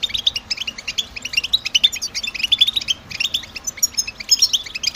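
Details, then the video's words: European goldfinch males singing in spring and summer to attract females and mark nest sites; a fast, liquid twitter of high chirps and trills runs continuously, broken by one short pause near the middle. "اعطي الطاقة لطائرك الحسون باجمل البتبتات التحفيزية"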